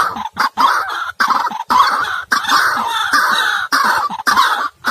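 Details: White-breasted waterhen call used as a trapping lure, harsh throaty clucking and croaking bursts repeated with brief pauses, loud and continuous.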